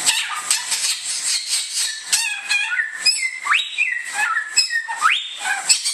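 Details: Samyong, the bare-throated whistler of Indonesia: a run of scratchy high twitters gives way to loud whistles that climb steeply and then flatten, repeated several times over a steady hiss.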